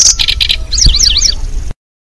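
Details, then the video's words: Zitting cisticola lure sound used to attract birds for trapping: short high chirps, then a run of sharp zigzag notes, over a low background rumble. "Suara Pikat Burung Kecici Belalang"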